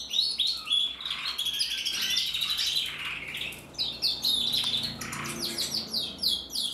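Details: Red mosaic isabel male canary, captive-bred, sings in 2024: vigorous high trilling in bursts, sharp clicks and whistled sweeps, a faint low hum running underneath.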